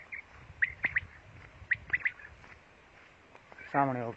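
A female quail gives short, high chirping notes in two quick triplets, then a brief harsh, voice-like sound ends the recording.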